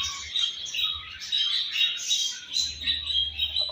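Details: Home-bred baby budgerigar: busy, high chattering chirps and squeaky warbling run almost without pause, with brief louder bursts, over a faint low hum.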